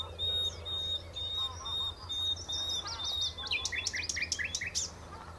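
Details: Nightingale on Texel by the Horsmeertjes, singing a long pure whistled note that gives way to a fast series of sharp, sweeping chirps, over low background hum.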